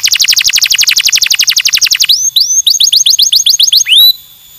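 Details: From a bird mastering recording, a bird sings a very rapid rattling trill of high notes for two seconds, then switches to a quicker series of rising, whistled upslurs, ending on one strong rising whistle.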